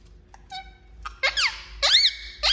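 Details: Indian ringneck parakeet making sounds: a few soft steady whistled tones, then three loud harsh screeches that arch up and down in pitch, each under half a second, with short gaps between.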